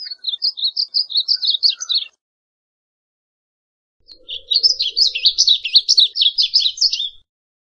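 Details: Varied bunting song in two phrases: first a steady series of clear, high chirped notes, then after a pause a denser, buzzy warble of tumbling notes, with a faint low murmur underneath.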